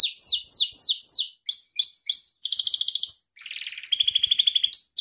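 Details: Song of a Gloster canary, recorded to train pet canaries: broad falling sweeps, short clear whistles, then long buzzy rattling trills in two layers.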